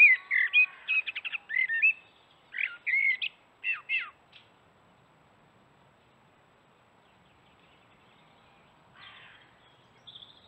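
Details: Common blackbird in morning song beside a forest watering hole: several bursts of fluty, warbling notes with scratchy edges in the first four seconds, then near silence, with a faint high call near the end.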